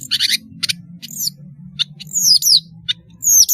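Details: Long-tailed shrike in full song, used as a lure for young learners: a few harsh chattering bursts, then high whistles sweeping sharply downward among brief clicks, with a faint low drone underneath.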